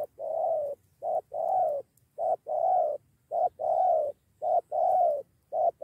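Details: Spotted dove, a lured wild bird nearly starting a two-against-one fight, cooing: low, soft, hollow coos in a repeated pattern of a short note followed by a longer one, regularly paced with brief gaps.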